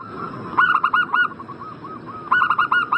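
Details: Zebra dove (perkutut) calling to prompt a breeding bird to respond: two loud phrases of four or five fast, bubbling coos, with soft cooing notes in the gap between them.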